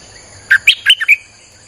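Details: Streak-eared bulbul, recording used to lure wild birds, giving one rapid five-note phrase of bright chirps, alternating lower and higher pitches and ending on a short trailing note, over a constant thin high-pitched drone.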